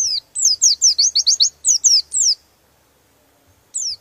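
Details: An oriental white-eye delivers its rival-provoking rolling song: a quick string of about a dozen high, downslurred whistles over two seconds, then silence before another note begins.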